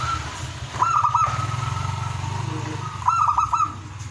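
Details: Ngowar-style zebra dove song used to excite breeding desire in other doves; two clipped phrases of four or five quick coos about two seconds apart over a steady low engine-like hum.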